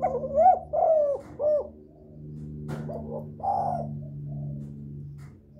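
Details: Lure-calling spotted dove delivering a rapid run of three or four mellow, slightly rising coos, then a pause and a softer second phrase ending in a drawn-out note, against a steady background hum.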